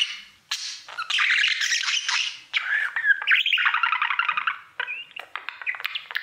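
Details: Pet male budgerigar at his mirror, a loud continuous scratchy warble with harsh squawky notes and quick chirps, fading into softer clicks at the end.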